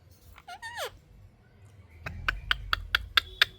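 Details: Pet ring-necked parakeet talking: a short squawky phrase with wavering rising and falling pitch, followed after a pause by a run of sharp, evenly spaced clicks.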